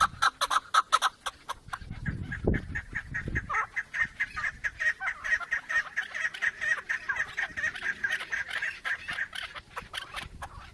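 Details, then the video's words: A few loud chuck notes from a chukar partridge open the recording, then dense overlapping chattering continues, with brief low thumping noise early on. "Keklik en güzel keklik sesi"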